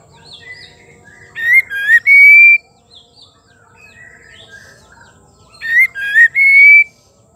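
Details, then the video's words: Female white-rumped shama, kept as a cage bird, sings to excite males into song: two bursts of varied whistles, each ending in a loud, pure, sustained whistle near two seconds long, with quiet gaps between the bursts. "Murai betina gacor pembangkit emosi murai batu jantan auto gacor"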